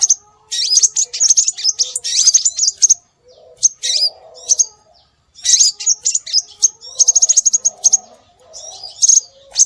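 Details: Scarlet minivet sounds used to attract birds: dense runs of high, piercing chirps and looping whistles, then a brief quiet gap, then fast, evenly spaced chirp trills. Faint low murmurs are heard in between.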